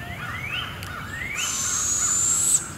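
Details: Barred owl owlet, fed by its mother at Devil's Den Campground, 7am; rising whistled notes from other birds come first, then a loud, harsh, hissing screech building over about a second to an abrupt end.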